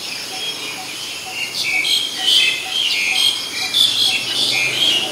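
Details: Black-collared Starling recorded 10 February 2023 in Ubon Ratchathani, Thailand, giving loud, varied scratchy phrases mixed with shrill whistles through most of the recording, a continuous insect drone behind.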